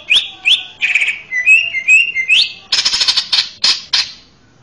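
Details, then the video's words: A male greater green leafbird's melodious master song for young birds: a run of quick rising whistled slurs, steady whistled notes, then a string of loud harsh buzzy notes. "SUARA MERDU MASTERAN CUCAK IJO JANTAN!!! JAWARA TERAPI BAKALAN"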